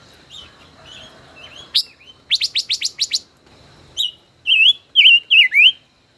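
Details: Song-dueling five-colored bird, caged decoy of over a year: soft quiet notes, then a rapid string of six sharp notes, followed by loud wavering whistled phrases.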